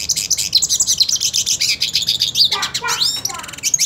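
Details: Purebred hooded siskin wanting to fight another hooded siskin: continuous high buzzy twittering, then a burst of sharp upward-sweeping chirps and a short fast trill at the end.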